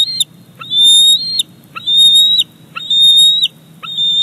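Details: Fish delivery at Big Bear Lake, 28 July 2019: the male bald eaglet squees to claim it. Five loud, thin whistles, each starting with a brief upward flick and then holding level, spaced about a second apart.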